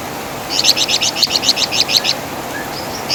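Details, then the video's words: Wergan Jawa, the flamboyan bird, known for a loud voice and distinctive chatter: a short burst of about a dozen quick, high, doubled chirps lasting under two seconds, then faint thin notes. "Masteran Suara Burung Flamboyan | Wergan Jawa"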